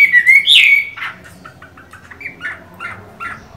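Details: A moulting Chinese hwamei with mung-bean green eyes gives a loud rising whistled phrase, then a string of softer, evenly spaced short notes.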